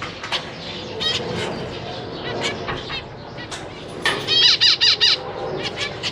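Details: Zebra finches, a parent pair with three juveniles and three newly fledged young being fed and practising flight in a large cage: short nasal buzzy calls and high chattering notes, a rapid burst of sharp calls near the end, soft wing flutters.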